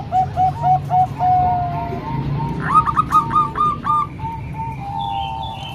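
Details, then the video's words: Zebra doves, three Bangkok-type and one local, singing for training young birds: a run of spaced coos and a long held note, then a rapid rising burst of rich notes from another bird, over low rumble. "Kombinasi 3 Suara Perkutut Bangkok Dan 1 Lokal|Untuk Melatih Perkutut Bahan"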